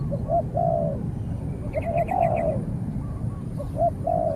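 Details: Spotted dove, a decoy bird taken out for training, calling against a wary wild dove that fights from a distance: low, hoarse two- and three-note coos in clusters, with a brief high chittering of another bird midway and a steady background hum.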